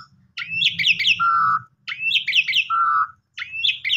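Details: Asian pied starling, a lure recording for a sulking or stressed bird, singing loud phrases of rapid rising chirps followed by a clear steady whistle, repeated in bursts about every one and a half seconds, with a low hum beneath.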